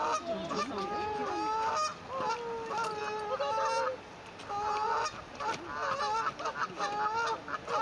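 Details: Swans on the cygnets' first day of life, 9 May 2024, captured on a phone; busy series of nasal, slightly wavering honks, often overlapping, about one burst a second.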